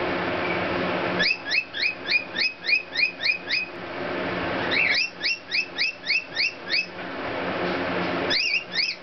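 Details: Rainbow lorikeet singing to cockatiels, giving quick runs of bright, rising chirps, about ten to a run at roughly three per second, over a low indoor hum.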